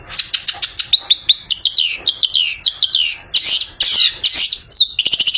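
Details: Long-tailed shrike singing after bathing, used to lure other shrikes in the afternoon: high, rapid chirps and tumbling whistled slurs in a busy stream, then a quick ticking series at the end.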